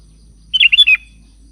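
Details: A chatty 'gacor' sooty-headed bulbul calls to its companions with a quick burst of four fluty, gurgling notes, the final one sliding downward, all within half a second and otherwise quiet.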